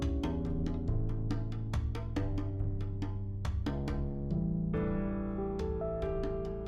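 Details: Piano music plays throughout: struck notes in a steady rhythm over sustained low tones, with no animal sound.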